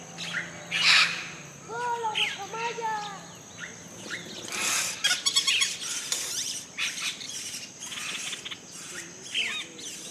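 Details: Yellow-rumped caciques at a breeding colony in Colombia call in a busy chorus: liquid, slurred whistles, sharp clucks and raspy chatters overlapping, with a few faint voices in the background.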